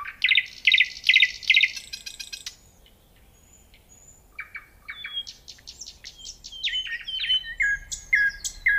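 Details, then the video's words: Nightingale song: three rapid throbbing rattles about half a second apart and a fast stuttering trill, a short hush with faint whistles, then a busy run of chips, slurs and buzzy repeated notes rising in volume. "Nightingale Sound and Nature Beauty Psychological Comfort"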